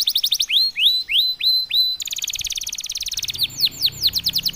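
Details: Silver salju canary, in heightened breeding mood (over birahi), delivering quick upslurred whistles, then a long rapid buzzy trill, then more sweeping rising notes, all loud and clear.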